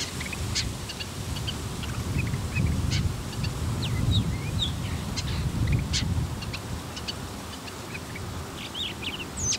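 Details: A male Bull-headed Shrike sings quietly while courting a female. Scattered short, high chirps and thin, varied notes sound in loose bursts across nine seconds over a steady low rumbling background.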